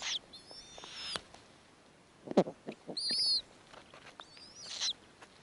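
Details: Snowy owls at the nest as the male brings prey and the female feeds the offspring: several short high screeches and thin wavering squeals scattered across a few seconds, with soft knocks between them.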